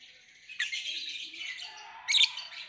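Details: Lovebird giving a continuous high, raspy chatter with a loud sharp chirp near the end.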